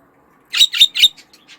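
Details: Three loud, rough chirps in quick succession from a pet budgerigar, trailing off into faint soft notes.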